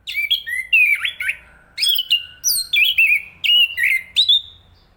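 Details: An Enggano thrush (Zoothera interpres), from East Java, sings quick, varied phrases of slurred, high whistles with a few scratchy notes, about eight bursts in five seconds over a faint low hum.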